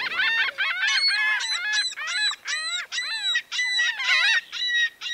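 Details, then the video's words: Drawn-out nasal wailing notes from a Laughing gull, about two each second, each gently arching and slightly falling, forming a continuous laughing sequence. "Sounds singing Laughing gull, sounds, singing Aztec seagulls"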